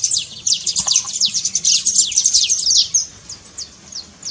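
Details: Saffron finch trill used to stir a quiet canary into singing: rapid, dense bursts of high, downward-slurred chirps, thinning into spaced single notes near the end.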